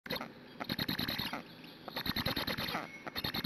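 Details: Black stork nestlings at a nest in Hungary, filmed by a live nest camera on 12 June 2017 at 08:21, begging at length before a parent arrives to feed; rapid, scratchy, squeaky pulses in dense bursts with brief pauses.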